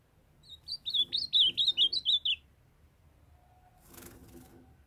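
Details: Young caged male ultramarine grosbeak singing as his female calls to warm him up: a quick run of about nine bright, looping whistled notes over a second and a half, followed by a low clatter and thud.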